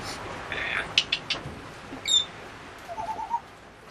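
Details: Eight-year-old female African grey parrot that talks and lives aboard a sailboat, entertaining charter guests: a few brief whistled and clicking notes, a sharp high squeak, then a soft run of low hooting coos.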